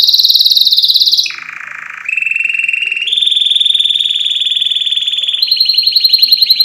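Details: Energetic canary song used as a tutoring recording for birds. Fast high rolls give way to a lower buzzy passage, then a chain of steady rapid trills, each section stepping to a new pitch.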